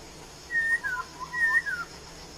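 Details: Laughingthrush in the wild giving two whistled phrases: a level whistle followed by a short downward slur and soft lower notes, repeated once after a pause, over faint steady hiss.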